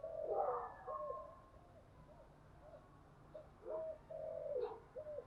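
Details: Decoy cooing of a spotted dove for luring wild doves: a loud rough coo opens, followed by a string of short hollow notes and a longer falling phrase, over background hiss.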